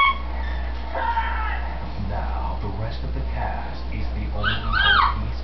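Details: Indoor pet green-winged macaw, female, chatters when she thinks no one is around; soft mumbled syllables followed by a louder rising-and-falling whistled phrase near the end, with persistent low hum.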